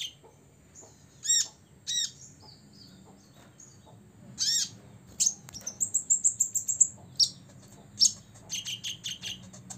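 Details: Six-year-old olive-backed sunbird singing to provoke rivals: separate sharp chip notes at first, then a fast rattling series of high tweets and a thin whistled trill, followed by a few loud buzzy chirps.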